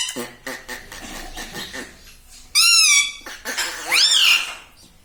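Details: Pet parrot talking, said to say words such as "Mummy" and "Papa"; low speech-like murmurs give way to loud, harmonic, arching vocal sounds near the end.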